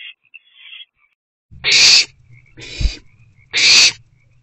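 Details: An owlet in a nest box gives three harsh, hissing screeches about a second apart over a low rumble. It is excited about the first food delivery of the night, at 7:50 pm on 1 April 2024.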